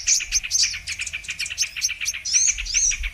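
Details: Trapping-lure recording of brown-throated sunbird: rapid, high-pitched chattering twitter with a few longer arched whistles near the end.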